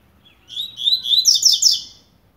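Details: Blade-type coleiro (Double-collared seedeater) beginning to warm up, giving a single quick two-second burst of high twittering notes that rises into a brighter, buzzy climax before stopping.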